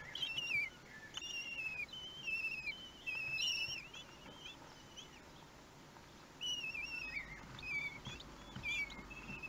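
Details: Common kestrel chicks aged one week calling during a meal at their nest, 31 May 2020: clusters of shrill, trembling whistles from several young, busy for four seconds, a quieter pause, then another burst of wavering cries.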